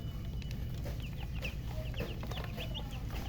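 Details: Chirping from coloured chickens with a murgi hen: brisk, thin, downward-sliding peeps repeated several times a second, with a few lower notes among them. A heavy low hum runs throughout.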